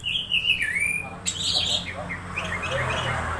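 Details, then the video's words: Strange sounds of an excited orange-headed thrush, a lure to get others singing: wavering slurred whistles dipping and rising, a sharp click, then a jumble of soft high chirps and twitters over low hum. "Suara suara aneh anis merah saat di cas ampuh pancing anis merah bunyi"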